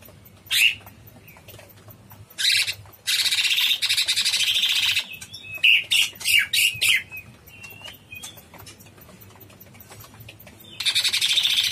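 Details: Cucak cungkok bulbul in full song; long, rapid, scratchy chattering bursts alternate with short sharp whistled notes and pauses of quiet.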